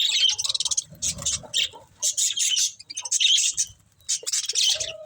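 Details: Budgerigars eating green food give bursts of busy, scratchy chirping and chatter, high and grating, coming in clusters of quick notes separated by brief pauses.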